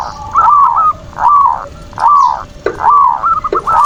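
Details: Zebra dove (perkutut) cooing in manggung style as a lure to excite other doves. Rounded, warbling coo phrases repeated a little over once per second, each ending in a soft downward slur, with light clicks between.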